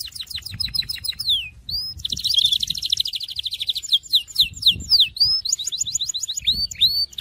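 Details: Varied Syrian canary song: falling notes, a dense fast trill, scattered sharp downslurs, then a string of bright upward-hooked whistles repeated in quick succession.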